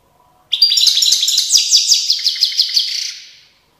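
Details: Singing goldfinch recorded at Tiaret in 2019: a single three-second phrase of quick, regularly pulsed tinkling notes that fades out at the end.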